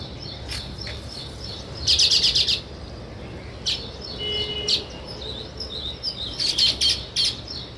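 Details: Sparrow chirps, including a quick run of about five sharp, evenly spaced chirps, then isolated single chirps and another rapid cluster near the end, over faint background chatter.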